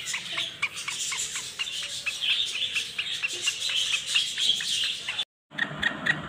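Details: Young male black francolins, playful, give a quick, steady run of thin, high chirps and twitters, several a second, with a brief silent break near the end.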